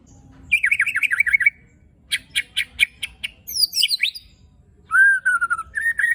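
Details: White-rumped shama shots and rattles in rough fill: a rapid series of sharp zigzag notes, a pause, spaced dry clicks, high twisting slurred whistles, then a long steady whistle and short rising notes.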